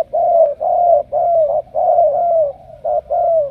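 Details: A selected spotted dove from Cà Mau coos steadily and loudly, with long smooth notes slightly falling at their ends, run close together with brief gaps.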